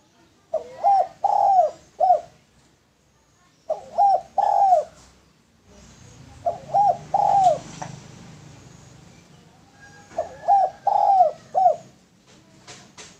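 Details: Male spotted dove used as a lure bird, giving soft cooing phrases of about four notes, each phrase repeated every three to four seconds, with faint background rumble and a noisy stretch in the middle.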